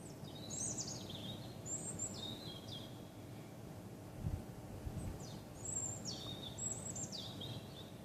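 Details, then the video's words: Night song from a songbird that strayed in late December, 28 December 2013: bright whistles dropping in quick steps from very high to mid pitch, repeated phrases close together, with a soft low background hum. "Vogelgesang in der Nacht zum 28.12.2013"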